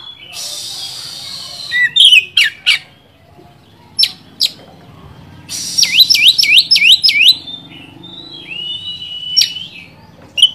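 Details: Oriental magpie-robin singing to provoke a rival bird: hissy noise, sharp whistled notes, then a fast run of swooping looped whistles and a falling whistle near the end.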